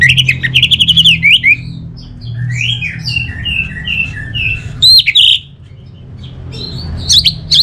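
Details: Orange-headed thrush, a contest-kept songbird, sings a bright sequence of varied whistled notes with loud sudden bursts, followed by a brief pause and then more sharp phrases. A low hum runs underneath.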